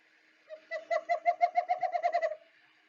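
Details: A Western Screech-Owl in the Fraser Valley, British Columbia, gives its subtle bouncing-ball call: about a dozen soft, hollow hoots in a quickening series that sound lower toward the end, low and gentle.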